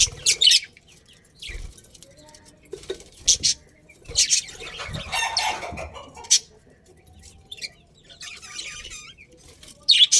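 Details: Budgerigars in a breeding pair within a colony chirp in short, scratchy, high bursts of chatter separated by quiet gaps. A few low thumps can be heard underneath.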